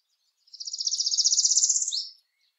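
A Northern Parula sings one high, buzzy trill that climbs steadily for about a second and a half, then snaps down in a quick final zip. The background is quiet.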